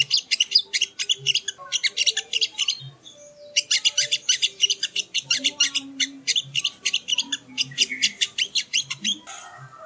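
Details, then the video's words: Long, continuous chattering song of a sogon, or sogo ontong, recorded for training songbirds: dense, fast, high-pitched chirps and trills running almost nonstop, broken by one short pause. "Masteran Burung Sogon ( Sogo Ontong )"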